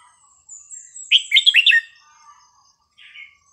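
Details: Red-whiskered bulbul, kept caged, singing a phrase for tutoring young birds: soft high notes lead into a quick cluster of loud, slurred, bubbling whistles, then a brief faint warble.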